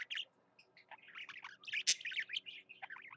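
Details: Pet budgerigar singing energetically: a continuous warbling chatter of quick scratchy notes, clicks and short whistles run together without pause, with one sharp louder click midway.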